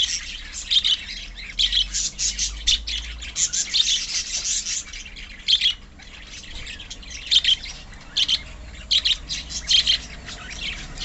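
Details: Pet budgerigars in a colony make repeated short clusters of harsh, high squawks and chirps separated by brief quieter gaps.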